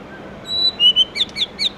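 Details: White-rumped shama singing in the morning in its wild-type 'forest voice' style: a few thin high whistles, then quick sliding, slurred notes in a brief burst over a faint hiss.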